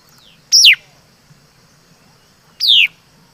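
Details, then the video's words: Two loud downslurred whistles from a laughingthrush called mi đất, about two seconds apart, the second slightly longer and smoother, each dropping from high to mid pitch; faint hum behind. "Suab Noog Ncuas Quaj Zoo || Tiếng Chim Mi Đất Hót Chuẩn"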